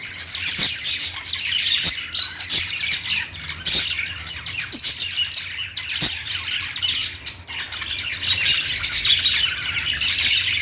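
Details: Lovebirds chirping at length: a long, unbroken stream of high, buzzy twitters and squawks rising and falling in loudness, with scattered clicking taps.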